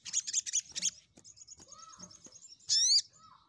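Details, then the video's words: A crimson sunbird lure recording meant to call rivals: quick shrill stuttering notes at first, then softer thin twittering, ending with one loud downward-arched ringing note. "Pancingan SogokOntong Gacor N3mbak Memanggil Lawan"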